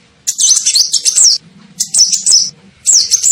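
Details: Lure call of a sunbird for drawing in birds: quick high twittering bursts with sharp rising-falling notes, three short phrases in just over three seconds, low faint hum in the background.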